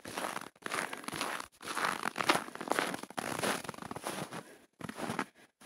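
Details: Crinkling, crunching and rustling handling noise fills the recording in broadband bursts with brief silent gaps. No animal voice can be picked out.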